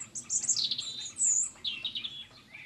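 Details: Free-ranging female Coturnix quail, kept uncaged in an organic garden setting, calling to be noticed while begging for a mealworm; a short burst of high, warbling chirps followed by softer squeaky notes and faint background sounds.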